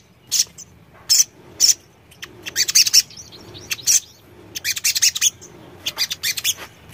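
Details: Sogon giving bright high chirps, first singly, then in dense clustered bursts of quick metallic notes, repeated over roughly seven seconds.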